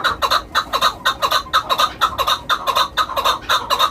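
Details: Chukar kept for hunting calls in loud paired chuk-ar phrases, each pair falling into the next with barely a gap. The notes are coarse and nasal, repeated about every half second.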